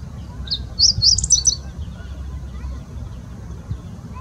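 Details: A male meadow bunting (Emberiza cioides) sings one quick, high phrase of bright, twittering notes lasting about a second, over a low background rumble; recorded 24 October 2020.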